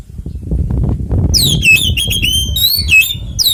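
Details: Oriental magpie-robin delivering a ngeplong tarung konslet fighting song, used to draw other magpie-robins into song: after low background rumble, a sudden run of bright, swooping whistled notes continues to the end.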